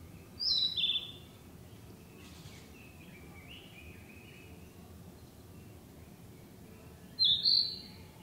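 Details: Narcissus flycatcher, a summer breeder, singing among trees: two high whistled phrases, each with a sharp falling note and a brief warble, about seven seconds apart. Between them come faint lower notes over steady background hiss.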